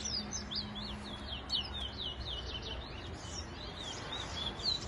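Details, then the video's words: Caged large-billed seed finch (towa-towa) singing in a bird song race against another bird in New Amsterdam, Guyana, 2022: rapid high, sweeping chirped whistles repeated several times a second. A man counts the songs aloud, with steady background noise. "TOWA TOWA BIRD RACE IN NEW AMSTERDAM"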